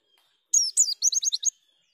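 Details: A brief white-eye (pleci) phrase in nembak style: a sharp high slurred note, then a fast descending run of about six clipped, bright chips lasting roughly one second.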